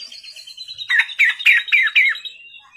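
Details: At night a white-rumped shama gives a thin high whistle, then five loud, evenly spaced chirping notes about a quarter second apart.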